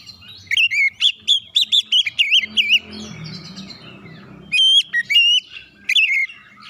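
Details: Oriental magpie-robin singing to incite other birds: quick repeated loud whistled notes with rich overtones, a stretch of low murmuring background noise, then sharp, high, clean whistles returning in separate bursts.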